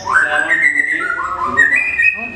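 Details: White-rumped shama (murai batu) singing at a songbird contest, a caged bird that took first place with a bowing display: long clear whistled notes, stepping between high and mid pitches and sliding up, over faint voices.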